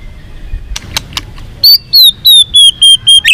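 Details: White-rumped shama singing to goad another bird into combative song: after a few clicks, a steady series of seven high, slightly falling whistles, evenly spaced about every third of a second.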